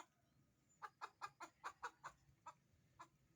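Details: Chicken clucking in a quick regular series of short notes over a low background rumble, a brief pause before the last few clucks.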